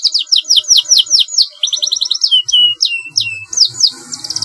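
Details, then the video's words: Canary singing long rolling song as a training master: repeated downslurred notes, a short fast trill, then several long falling whistles and a closing high trill, with faint low background noise. "kenari GACOR panjang PANCINGAN MASTERAN masuk, SUARA kenari ngeroll panjang"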